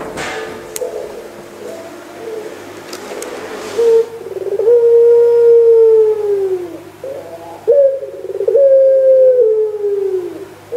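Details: Barbary dove of the pelung type, dated 3 March 2020: soft murmuring at first, then two long, smooth, drawn-out coos that slowly fall in pitch, with a steady low hum throughout.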